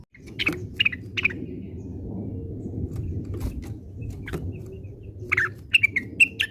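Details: Orange-spotted bulbul, known locally as cucak wilis, giving its classic song: short bright whistled phrases at the start, then a burst of quick chirpy notes near the end, over a steady low background rumble.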